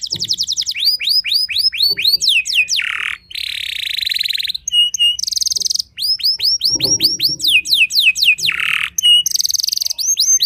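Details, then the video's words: Canary delivering a vigorous song that agitates rival canaries, alternating quick falling whistled sweeps with long buzzy rattling trills and short flat tones, repeated over about ten seconds with only brief gaps. "merdunya kicau burung kenari yang membuat galau kenari lain"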